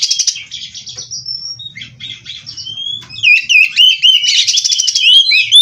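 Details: Kacer, the oriental magpie-robin, a captive-bred bird in full 'gacor' song with 'isian' fills. High scratchy trills and a thin rising whistle give way to louder rapid warbled loops and chattering.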